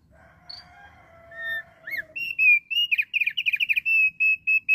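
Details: Lively song of a thick-billed heleia, played to lure wild flocks. Faint level whistles lead into a rapid series of repeated bright chirps, then a steady string of evenly spaced high notes. Nothing else is heard.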